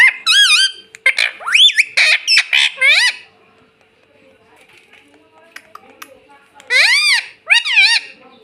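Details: Pet rose-ringed parakeet talking indoors: a run of quick nasal squawky syllables, then a quiet stretch and two more rising-falling calls near the end.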